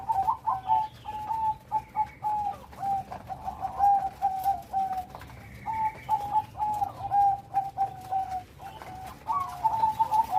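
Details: Bangkok-type zebra dove with a big voice and complete rhythm: soft, low cooing phrases of short rolling notes repeated in bursts with brief pauses, over a quiet background.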